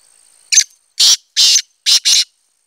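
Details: Black francolin recorded 25 July 2020 giving its grating call: a brief sharp note, then two broad rasping notes and a closing pair, all harsh and loud within about two seconds.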